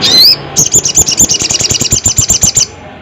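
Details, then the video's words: Crested jay calling a rival: an upward-sliding whistle opens, then a sustained rattle of regular high clicking notes, roughly seven per second, for two seconds. "SUARA BURUNG SOGON GACOR KERAS 2023"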